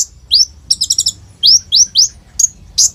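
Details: Olive-backed sunbird singing actively, its song packed with mimicked phrases and fast rolls, a lure for young birds; high upward-sweeping whistles mixed with a quick stuttering trill and sharp chips.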